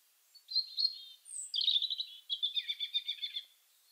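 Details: European Robin singing in winter to defend its territory, the song quieter and more hesitant than in spring: a few high fine notes, a thin very high whistle, then a tremulous run of rapid twittering notes falling off like a descending brook.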